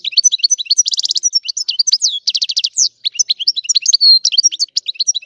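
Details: Sicilian goldfinch delivering a rare antique song style, an unbroken torrent of sharp twitters, two buzzy rattling trills around one and two and a half seconds, and a long pure note near four seconds.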